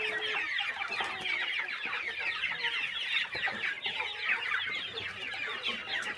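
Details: Chickens on a small countryside farm during morning feeding, a flock producing a dense, steady chorus of overlapping chirps and clucks with no pauses.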